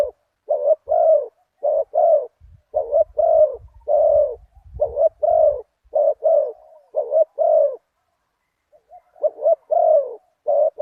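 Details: Spotted dove, a big-voiced one-kuk bird, calling during decoy luring after a target bird at spot 37: long run of paired hoarse coos, a quiet gap near eight seconds, then resuming. Low knocking noise is also present midway.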